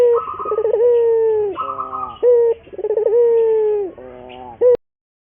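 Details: Puter dove lure song for training: long quavering coos that droop at the end, short sharp coos between them, and a higher buzzy warble over the start of some phrases. It ends abruptly in silence.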